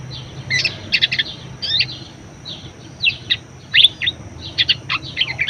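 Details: Budgerigar song used to tutor other birds: clusters of high chirps and short buzzy twitters separated by quiet pauses of around half a second, faint background hum.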